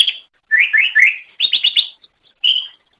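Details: Greater Green Leafbird chattering song from an Indonesian master recording for training songbirds: short rising slurred whistles in a quick run of three, then a burst of rapid buzzy notes and a final clear whistle, with brief pauses.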